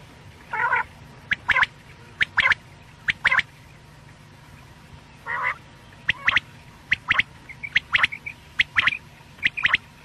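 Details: Quail (batair) call for night use: a few harsh nasal notes mixed with many sharp, clicky, high chirps in irregular pairs and short bursts, with quiet gaps between them.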